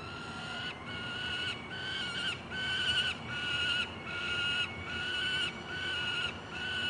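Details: Juvenile peregrine falcons at a nest box ledge in Columbus, Ohio, on June 28, 2016, picked up by a nest cam, with a second young bird possibly flying. Harsh, drawn-out wailing cries repeat roughly every 0.8 seconds, rich in overtones, over steady background rumble.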